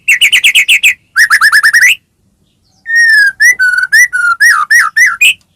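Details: White-rumped shama in vigorous song, used as a lure to stir other shamas to sing: two quick bursts of repeated whistled notes, a pause, then a long series of clear whistles varying in pitch.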